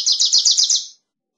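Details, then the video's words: Wilson's warbler singing a short chattering phrase of six or seven quick, high, slurred notes in steady rhythm, fading out abruptly, followed by silence. "Wilson's Warbler Song! Wilson's Warbler Call! Sound!- Reinita De Wilson Canto - Cardellina Pusilla"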